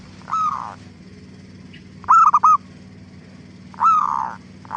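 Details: Zebra dove song used as a lure to get other doves calling back: a drawn-out falling coo, then a rapid staccato triple-note phrase, then another long sliding coo, each about two seconds apart, over a low hum.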